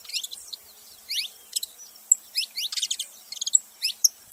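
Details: Thin, high, up-slurred chirps of a saffron finch in uneven clusters, fairly quiet, with a clean background.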